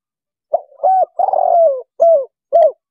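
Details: Spotted dove cooing, played from an MP3 sound box to lure wild doves for trapping: a single phrase of a soft lead-in note, a short coo, a long slightly falling coo, then two short closing coos.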